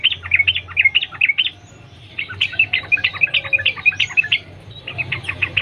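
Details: Yellow-vented bulbul in the wild, singing in the 'sambung ropel nguplik' style as a lure for other birds: busy runs of quick, liquid chattering notes, with a short lull before a final burst.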